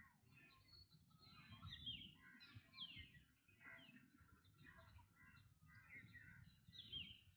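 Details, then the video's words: A black drongo gives harsh, varied chattering notes mixed with sharp rising whistles, calling steadily throughout over a low background rumble. "Black Drongo Bird Sound"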